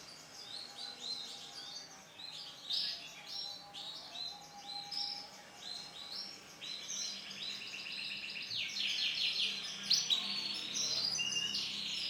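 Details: Vivid lemon-coloured male canary in full song: rapid buzzy rolls and trills building in loudness, shifting pitch and ending in fast rattling runs.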